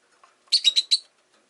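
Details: A quick run of four bright, scratchy chirps from a rosy-faced lovebird, part of a group of five pets in a cage by a window, delivered within about half a second.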